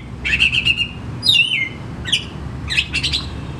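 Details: Kacer, or oriental magpie-robin, kept caged, singing a lure phrase for birds that will not sing: a buzzy rattle, a sweeping downslurred whistle, then scattered sharp chirps, with faint hum behind.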